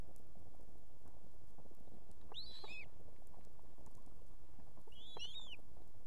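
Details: Female osprey at a nest in Estonia with two chicks, calling the male to bring food at evening: two high, arched whistled notes about two and a half seconds apart over a steady low rumble.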